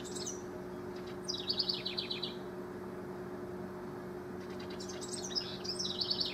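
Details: House wrens singing as rivals, recorded June 12–24, 2015: two bursts of bubbly, rapid trilled notes sliding downward, about four seconds apart, over a steady low hum.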